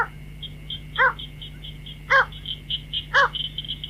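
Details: White-breasted waterhen call for luring birds at night: three strong harmonic notes about a second apart, set against rapid high chirping and a constant whine and hum.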